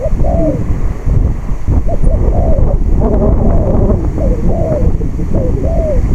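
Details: On a windy day, a spotted dove decoy in a trap enclosure repeats coo phrases: quick hooked notes, then slurred descending coos. They are half buried beneath strong wind buffeting.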